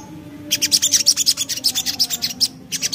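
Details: Lively Javan black-capped babbler song in ngriwik style: after a brief quiet start, a continuous fast series of shrill, clipped high notes, roughly seven per second, with a faint steady low tone beneath.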